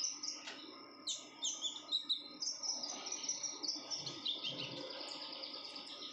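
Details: Female red-whiskered bulbul in breeding condition, chattering continuously in dense high, bright chirps that come in quick pulses for six seconds.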